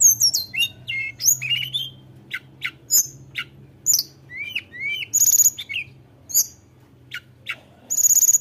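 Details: Tledekan gunung singing energetically to provoke rivals: rapid high chirps, thin whistles and upslurred notes in bursts, with a steady low hum in the background.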